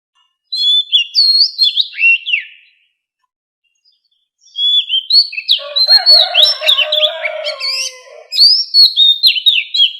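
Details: White-rumped shama, captive bird voice training with wild-style song: varied whistled phrases with sharp downward slurs, a pause, then dense overlapping song with a lower buzzy warbling layer mixed in.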